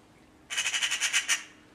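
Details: Magpie screeching outdoors: a sudden harsh, rattling chatter of about eight rapid grating notes run together in under a second, then silence, against a quiet background.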